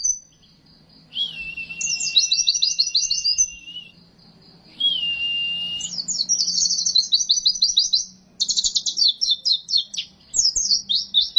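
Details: Oriental white-eye singing for training and luring caged birds: long steady whistled notes alternate with fast bright chattering trills and sharp repeated chirps, over a quiet low hum.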